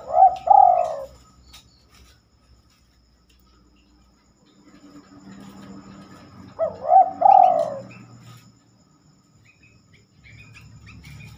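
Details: Spotted dove cooing at night: two low, mellow coo phrases about six seconds apart, each a quick stuttering start then a longer falling coo, with faint background hum between.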